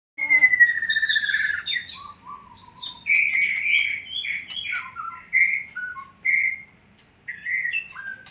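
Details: White-rumped shama (murai batu) in fighter-style song: loud, varied whistled phrases, some sliding and some clipped, with brief pauses and a quick run of sharp notes between them.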